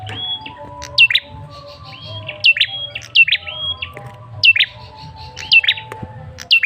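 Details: Male red-headed tailorbird lure call: steady series of high downslurred chirps, often paired, mixed with short level whistles, continuing briskly through the whole stretch.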